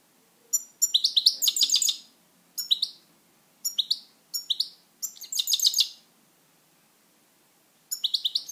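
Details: A kept European goldfinch singing: bright, high twittering bursts of rapid tinkling notes, delivered in short phrases separated by pauses of about half a second to two seconds.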